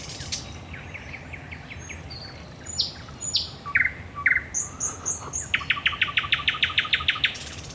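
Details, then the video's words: Night song of a thrush nightingale at the Raszyn Ponds in Poland, 10 May 2021: scattered sharp high notes and short whistles build into a fast, regular series of loud chopping strokes, over steady low background noise. "Nocny śpiew słowika rdzawego na Stawach Raszyńskich"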